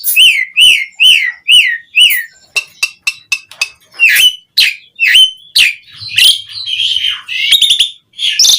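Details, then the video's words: Jalak suren (Asian pied starling) song for prompting other starlings: a series of repeated whistled notes, then sharp clicks and varied chattering phrases with squeaks and whistles. "Suara Kicau Jalak Suren Gacor Terapi Pancingan Burung Jalak Agar cepat Gacor Full Isian Mewah"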